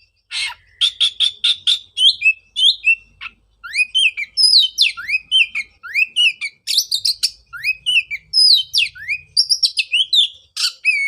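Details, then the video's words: Oriental magpie-robin in continuous song, played to stimulate a bird that stopped singing after its moult: a rapid series of repeated buzzy notes, then many upslurred whistles and intricate high trills. "pancingan suara untuk terapi burung kacer"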